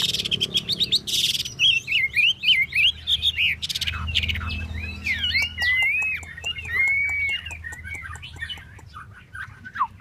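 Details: Chinese hwamei spreading and dancing its tail while singing a brisk series of looping, rising-and-falling whistles, interrupted by a short noisy burst, later turning into sharper swooping calls amid faint ticking.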